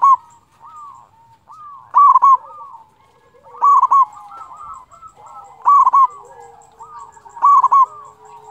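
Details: ['Zebra dove of local breed singing to get other doves calling: four loud, clipped coo bursts spaced roughly two seconds apart amid a busy chorus of softer rising coos from several doves.']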